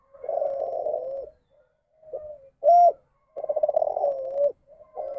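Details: Bred spotted dove giving the ndanglong style, a deviant form of the standard competition call, blamed on inbreeding. Low, rolling coos in long and short phrases separated by brief silences, with one sharp, louder note between.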